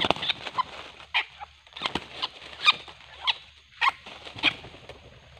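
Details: Red junglefowl during luring of wild birds with a decoy; sharp, scratchy clucks come in uneven bursts roughly every half second to second, with faint rustling between them.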